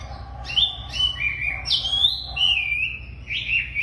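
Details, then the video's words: Tame wambi singing eagerly: a string of high whistled notes, each sliding downward or wavering, linked into a flowing phrase with short sharp upstrokes between them and a soft low hum behind. "Wambi Gacor Super Jinak"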